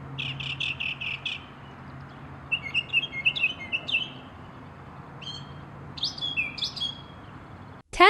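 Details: Northern mockingbird, North American mimic of birds, alarms and machines, delivering varied song: a run of five quick high notes, then shifting squeaky phrases and slurred whistles repeated in small groups, ending with a sharp click.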